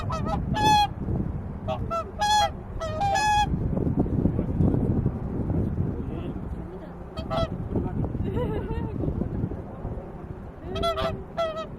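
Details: Swans calling while resting on Lake Utonai, Tomakomai, Hokkaido: clusters of nasal, trumpeting honks early on, a quieter stretch of low rumbling noise, then more honks near the end.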